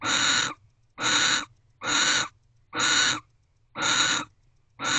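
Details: Barn owls mating in a nest box just after midnight on 29 December 2023, wild birds filmed unedited; harsh, broadband screeching bursts about half a second long, repeated roughly once per second, with quiet gaps between.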